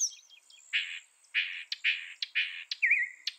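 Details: Mockingbird singing a run of harsh, buzzy notes, each roughly half a second long, then a short rising trill and a final sharp note, with a steady high insect-like whine behind.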